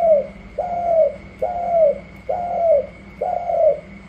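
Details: Spotted dove fresh from the wild, tested against a rival dove and giving the gù la coo style: five even, slightly descending coos spaced about a second apart over a constant high electrical whine.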